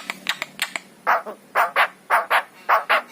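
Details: Javan myna, the yellow-eyed form, singing. Harsh, throaty notes come in quick pairs, about two per second, after a few shorter, sharper clicks at the start.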